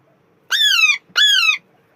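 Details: Alexandrine parakeet giving two loud, harsh squawks about half a second apart, each a rich buzzy note that starts high and slides downward, with near silence between them.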